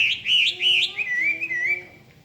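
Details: Hwamei singing loud, clear whistled phrases: a few quick rising-and-falling slurred notes, then a lower, longer wavering warble that fades out.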